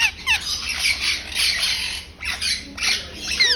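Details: A rose-ringed parakeet (Indian ringneck) in a pet shop gives harsh, high, raspy squawks in bursts, with brief chattering notes between them, against faint background noise.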